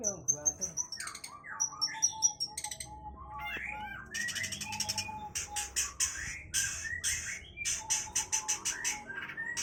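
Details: Long-tailed shrike, a caged bird, singing a rich, varied song of harsh chattering bursts, sharp whistles and mimicked phrases, with loud buzzy notes repeated in quick runs.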